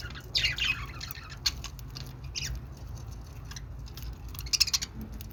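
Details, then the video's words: Budgerigars chattering with bursts of high, scratchy, warbling chirps, some clustered and rapid near the start and end, over a steady low hum. "budgie sounds | love budgie | budgie voice"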